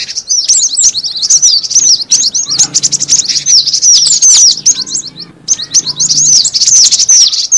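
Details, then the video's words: Cinereous tit lure call: dense, overlapping high chirps and short down-slurred tweets, nearly continuous, with a brief pause just after five seconds and a faint low rumble underneath. "suara pikat burung gelatik batu"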